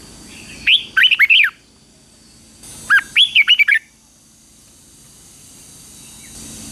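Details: Red-whiskered bulbul at 2024 morning training for competition singing: two quick phrases about two seconds apart, each a string of fluty, looping whistles, then several seconds of background hiss.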